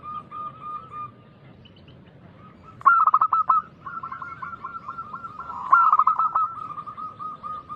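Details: Local zebra dove giving loud, persistent song as a lure for other doves: long runs of rapid coo notes with two louder, clicking phrases, over steady background noise.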